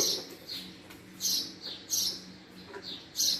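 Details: Male house sparrow with a few loud, slightly buzzy chirps spaced about two-thirds of a second apart, faint low hum behind.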